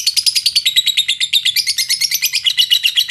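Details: A short burst of lovebird song used as a lure for other lovebirds, recorded in Indonesia: quick, piercing, buzzy chatter repeated in a fast even rhythm.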